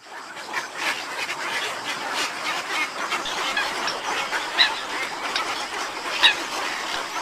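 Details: Western cattle egrets at Marismas de Jaizubia, Gipuzkoa, in a dense, harsh chorus of overlapping croaks and squawks, with two sharper, louder calls standing out near the end.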